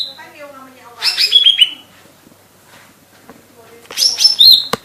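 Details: Lesser green leafbird (cocak ijo mini, Chloropsis cyanopogon) singing vigorously: two short bursts of high, slurred whistles and chirps, with faint lower tonal sounds at the start and a sharp click near the end.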